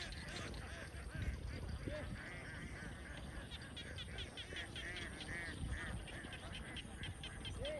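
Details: Young domestic ducks in a big farm flock in Vietnam; many harsh quacks overlap in a constant clamor, some clearer calls standing out, over low-pitched background noise.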